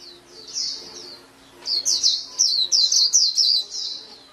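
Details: A white-eye gives a soft warbled phrase, then a louder rapid series of high, slurred chirps at nearly three notes per second.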